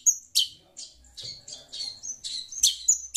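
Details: Long-tailed shrike chattering noisily in reaction to sound played from a phone; harsh, scratchy high chirps mixed with brief thin whistled notes, about a dozen bursts in quick, irregular succession with short quiet gaps.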